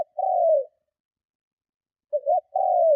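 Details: Spotted dove cooing strongly to lure and provoke rival doves; a long falling coo, a pause, then two quick hoots and another drawn-out coo, nothing else audible.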